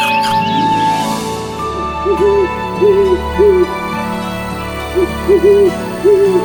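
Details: Owl hooting over a soft background music bed: low, short, slightly rising-and-falling hoots in pairs and singles, roughly every second after a brief music intro.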